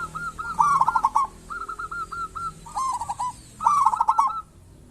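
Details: Local zebra dove used to lure other zebra doves into calling; three rapid rolling phrases of clipped, hooked coos, each about a second long.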